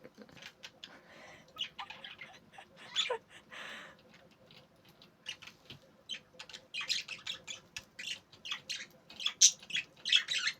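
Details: Budgerigar chirping: rapid, scratchy chirps and squawks in irregular bursts, during breeding activity.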